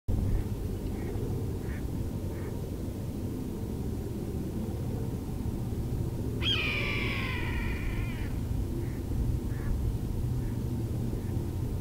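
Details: A red-tailed hawk, thought by the recordist to be female, in Vancouver, BC, Canada, on 5 February 2019, gives one hoarse, drawn-out, slightly down-slurred scream of nearly two seconds before flying off. Faint calls and low wind are heard behind it.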